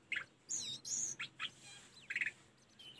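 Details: Tledekan gunung song, a recording used for training caged birds: short separate phrases of bright whistled and chirping notes, some sweeping high, others quick rising and falling trills, with brief pauses between them over faint background hiss.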